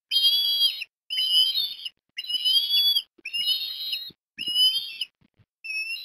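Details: Osprey during a breakfast feeding of fish to a chick, Port Lincoln, Australia, 17 December 2021; piercing whistled calls in about six evenly spaced phrases, each under a second long.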